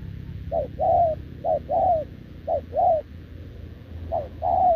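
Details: Wild-caught spotted dove kept in a cage, short-legged and sturdy, coos in reply to a decoy bird: four clear paired coos, a short lower note and a longer falling one, spaced about a second apart.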